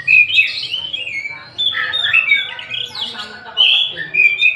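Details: Oriental magpie-robin (Copsychus saularis), song.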